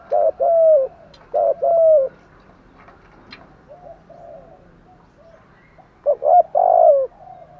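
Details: Spotted dove coos, from male and female birds, used to excite trained doves; a few deep cooing phrases at the start and end, with a quieter stretch of faint murmuring between.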